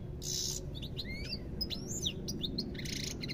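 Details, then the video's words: European goldfinch with a buzzy nasal burst, then liquid sliding whistles rising and falling, followed by another harsh buzzy trill and quick clicks, set against constant low background noise. "ربع ساعة من تغريد طائر الحسون روعة"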